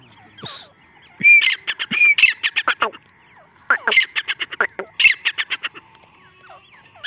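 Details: Female grey partridge calling non-stop in jungle, a call used to lure birds for hunting; harsh, loud notes in rapid bursts, each burst a run of sharp repeated syllables, separated by short pauses.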